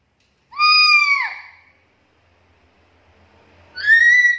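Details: Black-capped lory in a training and lure recording for lories. A loud, harmonic, nasal call falls away at its end; after a pause comes a second, higher, rising call.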